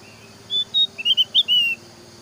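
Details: A Javan grey-throated white-eye sings a quick run of six high, clear whistled notes, some slurred up or down, over a faint low hum; the song is used as a lure to get other white-eyes to sing.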